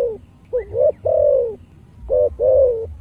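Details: Spotted dove with a deep earthy voice, kept as a decoy bird, giving low hollow coos: a short rising pair followed by long level drawn-out notes, two phrases in three seconds over quiet low rumble.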